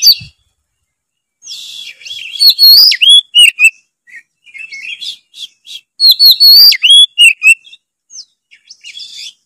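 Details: White-rumped shama, a kacer, in full loud song meant to provoke other birds into singing: bursts of bright whistles, sweeping slurs and sharp chips between quiet pauses, two main phrases about four seconds apart.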